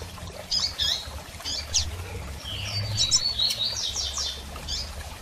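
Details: Calling female double-collared seedeater, played to prompt a male to resume singing after moult; high chirps and quick downslurred notes in loose clusters, with a low hum underneath.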